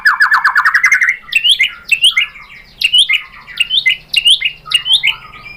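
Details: White-rumped shama lure song meant to provoke a reply: a fast run of rising notes opens, followed by a string of sharp up-swept whistles repeated about every second.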